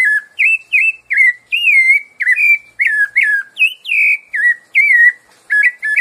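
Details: Rufous-bellied Thrush singing its 'piedade Senhor' song type: a steady run of clear, fluting whistled phrases, each rising then falling, about three per second, with no other sounds.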